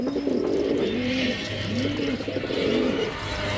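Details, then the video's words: A male pigeon calls with four low, bowed coos spaced across a few seconds, each a soft rise and fall. A steady low hum runs underneath. "Pigeon sound Effect || Male pigeon super Performance"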